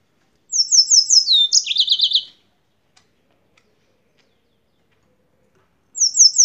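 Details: Yellow-fronted canary from Spain singing: a rapid high trill of repeated notes runs into a slightly lower buzzy trill, then silence before the next phrase begins at the end.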